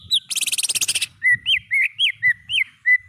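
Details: Greater green leafbird song played as a tutor recording for caged songbirds: a quick buzzy rattle of a dozen notes, then clear whistled notes that rise and fall, about three each second.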